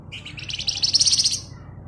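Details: Javan white-eye singing 'ngebren' as a lure for songbirds: a rapid pulsed buzzy trill of high notes, rising slightly and swelling in loudness, about one and a half seconds, over a low background hum.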